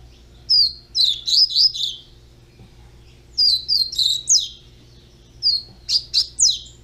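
A young Double-collared Seedeater sings three quick bursts of high, sharp, twittering notes separated by short pauses, over a faint low hum.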